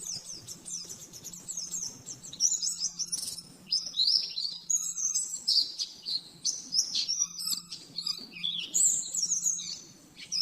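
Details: Rapid 'nembak-nembak' master song of an oriental white-eye for teaching caged birds: shrill, fast-chattering phrases with quick up-and-down sweeps, brief pauses between bursts, and a constant faint electrical hum beneath.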